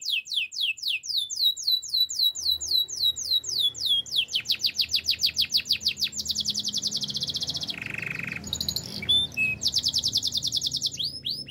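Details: Gloster canary singing for canary training: extended song of repeated falling whistled sweeps, then fast high pulsed trills, a brief low buzzy roll and more rattling trills, with faint background hum.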